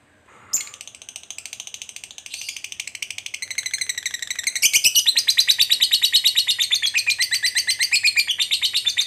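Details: Fighter lovebird's ngekek, a long trill used to make another lovebird flare up and strike: begins with a soft, buzzy, rapid chatter that swells midway into a loud, evenly pulsed, shrill rattle lasting several seconds.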